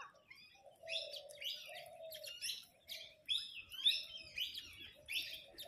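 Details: Parrots in a group arguing over food: raspy, high chattering bursts repeat quickly and unevenly over a background of lower, sustained tonal notes.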